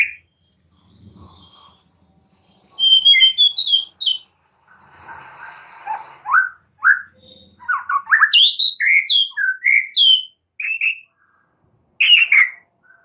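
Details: High-pitched white-rumped shama song from a training recording for caged birds: sharp ticking notes, buzzy bursts and quick descending whistles in clusters, separated by near silence.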